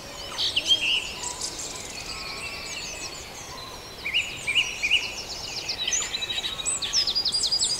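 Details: Dense dawn chorus at Farndale with overlapping whistles and chirps from many birds, ending in a fast stuttering run of repeated notes.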